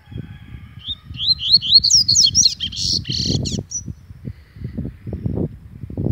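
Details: Angry Double-collared Seedeater delivering a quick string of upslurred high whistles that build into buzzy, scratchy notes, then a single thin note, over continual low knocking sounds.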